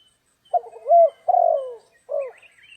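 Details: Throaty cooing of a spotted dove in stormy, rainy trapping weather: a stammered lead-in, a strong sustained coo, a descending coo and a short closing note, with faint high chirps at the end.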